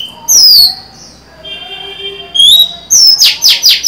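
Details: Captive female Oriental magpie-robin, 23 July 2020, singing to lure and stimulate males: clear, sweeping whistles, then a quick run of four sharp, falling notes.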